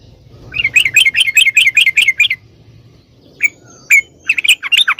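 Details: A caged yellow-vented bulbul sings to trigger replies from other caged birds. A run of about twelve quick chattering notes is followed, after a pause, by scattered sharp chirps and a short bubbly flourish.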